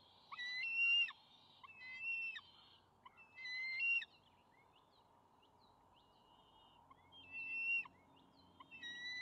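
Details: Two juvenile bald eagles at their nest on May 28, calling as the father arrives with a fish they scramble over: shrill, squealing calls with ringing overtones in bursts roughly every one to two seconds, separated by short quiet gaps.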